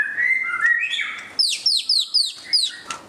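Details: White-rumped shama in display song: smooth whistles climbing in steps, then five quick, bright, downslurred notes in a rhythmic series.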